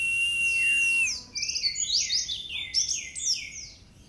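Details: White-eye song used as a tutoring recording for caged birds: a long high steady whistle, then a rapid jumble of sweeping, chirping and trilled high notes, busy and varied, fading toward the end.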